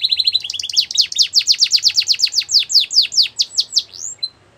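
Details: Russian canary singing a training song, a quick run of high descending whistled notes repeated several times a second, slowing and fading out into a final short note.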